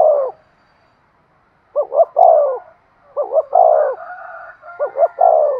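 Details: Spotted dove cooing to lure wild doves: a long coo ending, then three phrases of two quick notes and a drawn-out coo, with faint higher whistled tones in the background.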